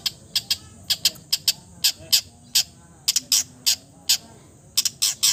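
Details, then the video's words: Long-tailed shrike, a mimic of many bird species, giving a run of short harsh, broad-band rasping notes in irregular clusters of two or three, loud and dry. "MERDU SUARANYA, BISA MENIRUKAN SEGALA SUARA JENIS BURUNG | CENDET FULL MATERI"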